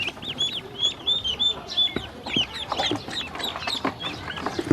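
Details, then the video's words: Hungry ducklings being given feed and water by a woman make arched, high-pitched peeps, several per second at first, then scattered rising and falling cheeps from many birds at once. "Hungry baby ducks"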